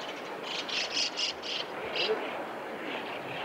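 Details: Common kingfisher living on a river through a residential area, a tributary of the Tama River in Tokyo, recorded 6 February 2015: a quick series of sharp, high, thin notes, then a few fainter ones, over steady background hiss.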